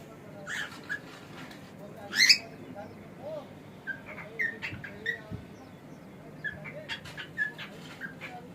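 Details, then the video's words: Male pet cockatiel making scattered short chirps and squeaky notes, one louder rising squawk near the middle, with quieter chatter-like sounds between calls over a low indoor hum. "This Cockatiel Has No Idea How Funny He Sounds!"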